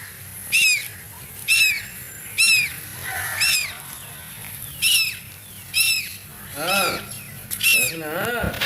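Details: Scared duckling calling: evenly spaced piercing peeps, each dropping in pitch, about one per second, ending with a couple of lower, wavering cries; faint rural background noise.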